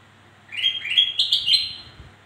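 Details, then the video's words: Song of a black-crested bulbul used to coax reluctant birds into singing: a stepped, upward-climbing phrase of clear warbling notes lasting about a second and a half, with a low steady hum beneath. "Suara Burung kutilang Emas Untuk Memancing Bunyi Burung Malas Bunyi"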